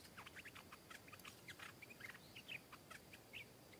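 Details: Stripe-throated bulbul, a wild bird in Thailand answering a rival and swooping down aggressively to fight it. Rapid clipped chirps and bright bubbly whistled notes come in quick runs, with loud emphatic accents near the end.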